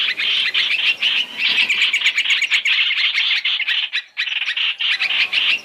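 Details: Chinese hwamei lure for bird trapping, mixing three calls: steady harsh, buzzy chattering in fast pulses, with one short gap near the end before the rattling continues.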